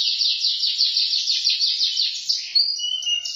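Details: Canary in full song delivers a fast, even series of repeated downslurred chirps forming a rapid trill, then switches to clear, sustained high whistled tones with a lower whistle beneath; continuous and loud throughout.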